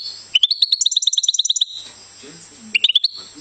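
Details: Goldfinch singing a fast run of about twenty repeated high chirps in a rapid trill, then a pause and another short twittering burst; faint low murmur in the background.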